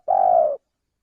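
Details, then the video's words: Single long, mellow coo of a male spotted dove from a bird-luring recording. The note holds steady, softens slightly at the end, then cuts off cleanly into silence. "suara pencingan burung tekukur belajaran pikat auto langsung bunyi"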